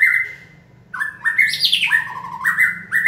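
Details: Caged white-rumped shama in song training, stimulated to sing by a human cue: rich, loud phrases of clear whistled notes stepping up and down, with a sweeping rising flourish in the middle, in a small room.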